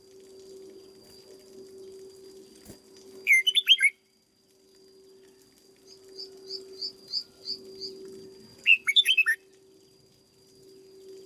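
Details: Caged red-whiskered bulbul being trained sings two fast phrases of sharp, looping whistles several seconds apart. Between them comes a softer run of high, even chips, all over a low continuous hum.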